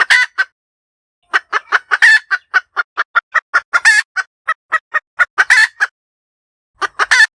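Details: Hen cackle, recorded clearly as a sound for trapping: an opening squawk and clucks, then a sustained rhythmic run of many short clucks peppered with raspy drawn-out notes, and a final loud squawk.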